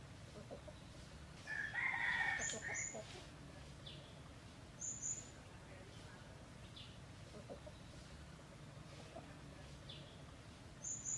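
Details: Wild red junglefowl living at a pagoda near Teuk Chob Khnar Po Community Forest, Siem Reap, Cambodia; one harsh, drawn-out crow about a second long rises above a quiet forest background, with thin high chirps from other birds scattered throughout.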